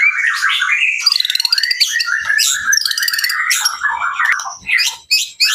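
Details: White-rumped shama singing a fast, varied song: warbled and whistled phrases, rapid trills and buzzy rattles, with sharp notes leaping between low and very high pitches and barely any pause.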